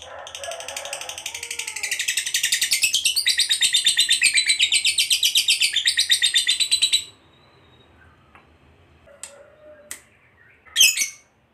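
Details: Lovebird, a fighter type, giving the long 'ngekek panjang' trill used to provoke other lovebirds: a dense, rapid chattering trill pulsing steadily for about seven seconds, then stopping, followed by a few faint clicks and one sharp squeak.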